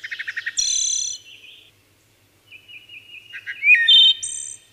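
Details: Stuttered low pips open a wood thrush phrase that climbs into a ringing double-toned trill; soft wavering whistles follow, then a swooping clear note and a second high shimmering flourish.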